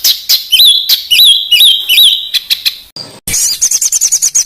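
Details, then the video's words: Master song for training contest birds in Indonesia, rich in rapid fill notes; looping rising whistles repeated roughly every half second, a brief noisy cut, then a fast series of high sharp chips. "BURUNG MASTERAN FULL ISIAN UNTUK BURUNG LOMBA"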